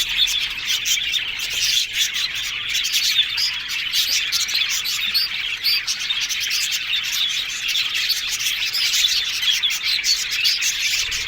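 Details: Happy yellow budgies in full chatter, a steady wall of high twittering, squeaky notes and quick chirps from many birds, with no breaks.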